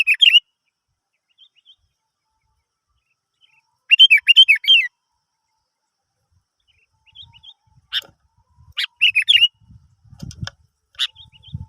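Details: Sooty-headed bulbul singing as a lure to get other birds singing: short bursts of chattering, bubbly whistled phrases separated by pauses, with faint low rumbling noise in the later part.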